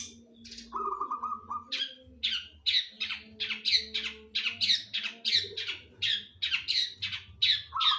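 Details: Long-tailed shrike (cendet) song with linked kingfisher-style (tengkek) material: a fast series of sharp, squawky notes about twice a second, with brief lower twittering phrases near the start and end, plus faint low background hum.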